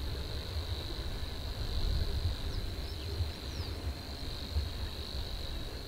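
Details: Savi's warbler (Locustella luscinioides), a reed-bed species, reels a steady, high, insect-like buzzing trill without a break, over a low rumble of wind or distant traffic.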